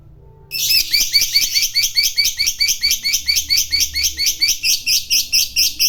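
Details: Fighter lovebird giving a long 'ngekek' trill meant to provoke a rival into calling: a continuous, very rapid series of shrill high chattering notes, about four per second, sustained for over five seconds without a break.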